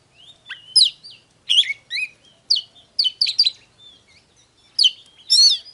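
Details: Oriental magpie-robin song, used as a file to provoke birds into singing and fighting: clusters of sharp, bright notes and short whistled slurs with short pauses between groups.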